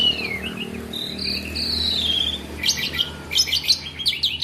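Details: Asian pied starling in nonstop song: long sliding whistles that fall in pitch, then a burst of quick clicking, chattering notes.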